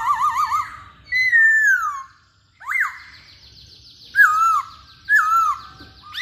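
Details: Actively singing masked laughingthrush gives a quavering warbled phrase, then separate loud, curving whistled notes, some rising and falling, others dipping, with short pauses between, over a faint hiss.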